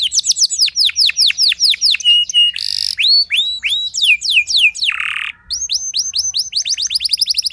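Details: Song of a canary meant to make other canaries answer and sing at length. Rapid repeated upslurred whistles, brief buzzy bursts and a low rolling trill, followed by more quick rising notes.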